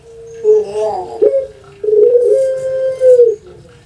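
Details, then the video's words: Javanese puter pelung dove, kept at home and prized for its long voice: wavering, gurgling notes give way to a sustained, slightly undulating coo of about one and a half seconds. "PUTER PELUNG SUARA PANJANG"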